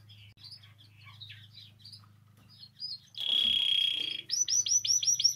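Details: Canary song for encouraging canaries to sing: soft scattered chirps, then a sudden bright sustained whistle, followed by a series of loud looping notes repeated about five times per second, over a low hum.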